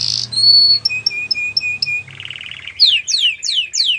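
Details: Canary song used to train young canaries: a buzzy opening, a string of short clear whistled notes, a harsh rattling buzz, then slow repeated sweeping downslurs.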